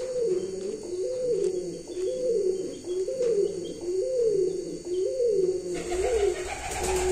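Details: A home-bred show pigeon gives soft, low rolling coos, about one a second in a steady rhythm, with faint chirps and a rustle near the end.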